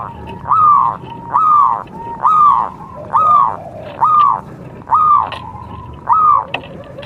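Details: Local zebra dove of contest type singing: a slow series of hooked, rising-then-falling cooing notes, about one per second, with fainter lower coos from another dove underneath.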